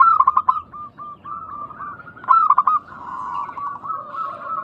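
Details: Local zebra doves calling vigorously, meant to invite other doves to answer. Two rapid stuttering coo bursts open phrases, followed by drawn-out rolling coos, with a fainter lower-pitched dove joining near the end.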